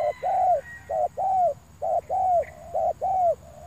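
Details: Spotted dove cooing during a session luring spotted doves: clear, low, mellow coos around the same pitch, given in quick grouped phrases of short and drawn-out notes, about one a second, faint hum in the background.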